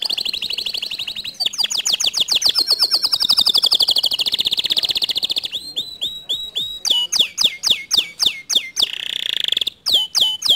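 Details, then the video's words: Canary singing loudly and energetically to provoke a quiet canary into song: rapid rolling trills of high, buzzy notes, then a run of sharp, downward-swooping whistled notes repeated several times a second. "Memancing Emosi Kenari Malas Bunyi Agar Ikut Gacor Dengan Kicauan Kenari ini"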